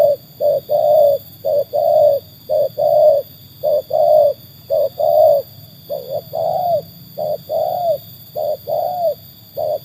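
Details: Trained Spotted Dove, said to have proven itself against wild birds, delivering a steady series of soft hollow coos in short-long pairs, evenly spaced, with faint low hum behind.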